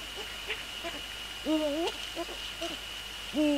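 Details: Eurasian eagle-owls at a nest on the evening of 29 January 2014, between 17:45 and 18:10. The male visits three times to prepare the nest for nest inspection, followed by a prey handover. Short, wavering, nasal two-tone calls sound over a constant high electronic whine.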